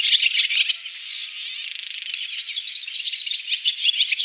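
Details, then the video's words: Song of a male barn swallow: a fast, unbroken twittering warble, broken midway by a brief dry, buzzy rattle before the chatter resumes. "Ласточка деревенская"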